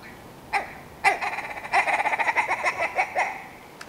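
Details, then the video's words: Two sharp single clucks, then a rolling, rapid willow ptarmigan rattle of nasal notes that ends in a few slower, spaced calls. "Willow Ptarmigan - Song & Call"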